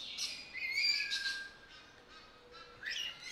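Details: Sulphur-crested cockatoo at Belgrade Zoo in August 2022: harsh, raspy screeches in three short bursts about a second apart, mixed with thin high whistles, faint hum beneath.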